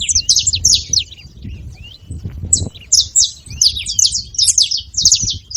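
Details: Several free wild saffron finches chattering loudly, dense clusters of high sharp chirps in bursts with a short gap near the middle, over steady low-frequency background rumble.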